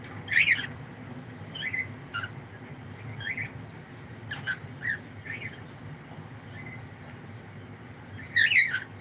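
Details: Pet cockatiel giving scattered short squawking calls, a loud harmonic pair near the start and another burst at the end, with quiet stretches and faint chirps between them in a room.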